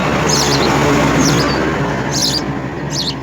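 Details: House sparrow nestlings beg as a parent feeds them insects at the nest, giving four brief bursts of high, thin chirps roughly one a second over a steady broad hiss.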